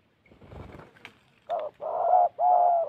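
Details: After a brief rustle and a click, a decoy spotted dove from Gia Lai, Vietnam, delivers three firm, low, mellow coos, the last two long and even.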